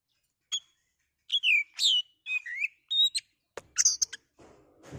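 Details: Oriental magpie-robin (kacer) in captivity, singing to provoke a rival; spaced, slurred whistles and a few harsh, rasping notes, ending with a soft rustle.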